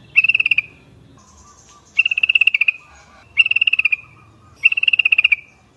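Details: Lure call of a Yellow-vented Bulbul that sets others calling: four rapid chattering bursts, each well under a second, repeating roughly every one and a half seconds.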